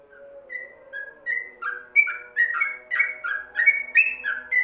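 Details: Yellow-vented bulbul song as a training recording for caged birds, opening with a few soft separate whistles and building into a fast, dense run of bubbling slurred notes.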